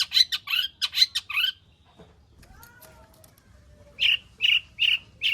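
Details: Long-tailed shrike singing in full voice, a lure recording with its song packed with fill-in material to prompt other shrikes to sing. Harsh, buzzy notes come in a fast burst, then a pause with faint whistles, then four rasping notes repeated evenly.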